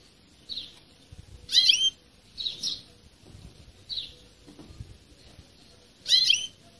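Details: European goldfinch breeding call: short, high twittering bursts and bright tinkling notes come in separate spurts about a second apart, with quiet gaps and faint low rumble between them.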